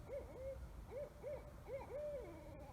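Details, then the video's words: At about 3 a.m. in a town suburb, heard through open windows in pitch dark, a Barred Owl gives a quick run of short, arched, mid-pitched hoots, about six in under three seconds, over a faint steady high hum. "Hear owls hooting"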